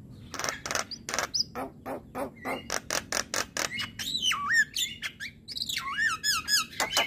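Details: Male Javan myna song meant to provoke other mynas: a fast run of dry clicking chacks, about four per second, breaking into loud wavering whistles and squeaky slurred notes.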